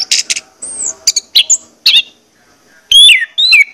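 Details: Lure song of an orange-headed thrush to get birds singing: varied high buzzy notes, a thin arched whistle and crisp chips, ending in loud falling slurred whistles.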